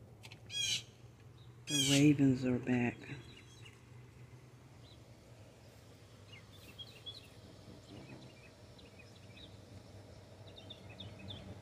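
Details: Raven perched in an ash tree in a backyard, seen from a back sunroom window: one short harsh note, then a rapid burst of rough, croaking notes lasting about a second. Afterwards there is a steady low hum and faint distant birds.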